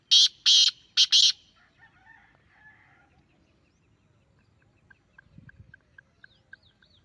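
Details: Grey francolin call meant to be played to a captive bird so it calls back: three loud, harsh, rapid bursts in the first second, then a faint trailing note and soft, evenly spaced high ticking.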